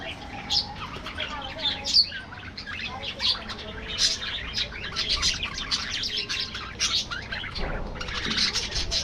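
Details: Budgerigars in an aviary colony: a dense, continuous chatter of many high, scratchy chirps and warbles overlapping throughout, with brief louder squeaks standing out now and then.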